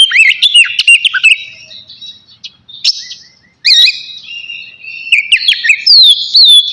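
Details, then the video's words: Oriental magpie-robin of the navy form, a caged bird singing energetically before its bath: loud, varied whistled phrases with sharp upward sweeps and rapid chirps, broken by a brief pause midway. "KACER NAVY GACOR SIAP MANDI"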